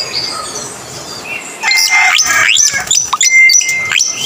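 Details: Coleto (kuling), a Philippine starling. After a quiet start, loud sharp upsweeping notes and flat whistled tones break in, mixed with crackling clicks.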